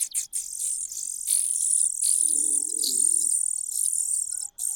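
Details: Nearly continuous high, buzzy hiss from a cuckoo in a nest, broken only briefly at the start and end, with a faint lower murmur in the middle.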